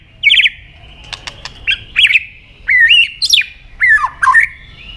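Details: White-rumped shama lure song meant to call a rival, mixing short harsh chattering bursts with loud, varied whistled phrases that swoop up and down, separated by brief pauses.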